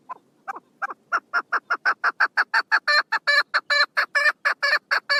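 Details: Opening with a few soft notes, a female chukar partridge recorded 1 June 2022 launches into a long, quickening sequence of loud, grating chuck calls that grows harsher as it goes.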